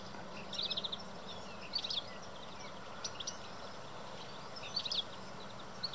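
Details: European goldfinch in courtship, giving short bursts of bright, tinkling, twittering notes high in pitch, heard in four brief phrases over steady background hum.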